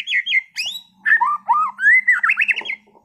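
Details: Contest white-rumped shama in continuous 'gacor' song: bright whistled notes, then a run of rising and falling slurred whistles ending in a rapid, jerky trill. A faint low steady hum runs underneath.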